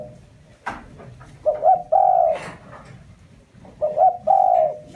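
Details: Spotted dove used as a lure, its repeated coo phrase made of two short lifting notes and a long steady hoot, heard twice, with a sharp tap and light rustling in between.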